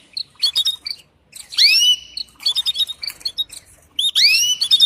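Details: Courting female canary calling a male: quick chirps broken by two loud downward-slurred whistles, with busy twittering between them.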